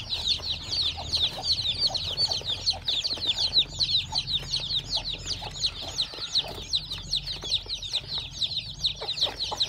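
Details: Freshly hatched farm chicks from a hen's clutch keep up a dense chorus of thin, high falling peeps, repeated rapidly by many birds at once, over a faint low background hum.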